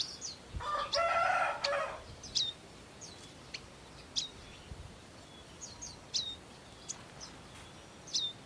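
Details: Wild bar-winged prinias caring for their young give a series of high, clipped chirps with downslurred tails, several per second at times, after a brief loud rustling burst near the start.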